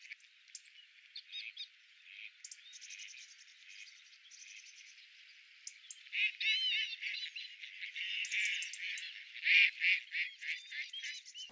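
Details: Mallard, recorded with a homemade parabolic microphone, gives short, nasal, raspy quacks in quick runs, while thin, wheezy, slurred Northern Lapwing cries overlap and grow louder toward the end.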